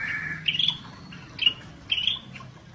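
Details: Pycnonotus squamatus, the scaly-breasted bulbul, singing 'gacor': a steady whistled tone opens, followed by three short rising chirpy phrases spaced about seven tenths of a second apart.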